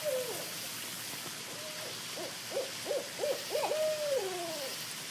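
A great horned owl gives soft, wavering hoots, first a quick run of short slurred notes, then a longer drawn-out note, over a steady background hiss.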